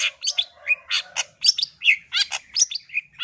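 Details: A female long-tailed shrike, or cendet, calling for the male in the wild with a rapid jumble of harsh chirps, squeaks and short whistled notes, plus a low buzzy warble underneath.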